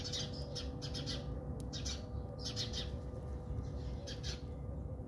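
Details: Fighting house sparrows in a South African backyard give quick squabbling chirps in dense high bursts with brief pauses, over steady low background noise and a faint hum.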